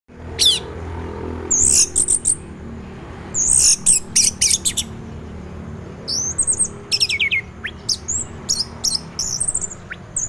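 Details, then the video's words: Orange-headed thrush singing in teler style, used to stimulate other orange-headed thrushes to sing in the morning: scattered bursts of high, sharp whistles and quick down-slurred notes separated by short pauses, over a steady low background hum. "anis merah teler, pancingan anis merah lain untuk merangsang bunyi dipagi hari"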